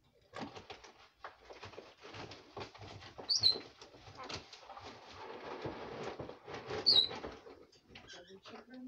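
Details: Pet female red lorikeet jabbering at bedtime: a continuous stream of dense, raspy chatter and muttering, punctuated by two brief shrill squeaks a few seconds apart.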